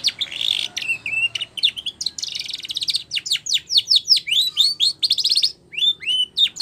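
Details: A Spanish Timbrado canary sings for training, mixing rattling metallic trills with long runs of descending whistled sweeps and short rising notes, phrases separated by brief gaps.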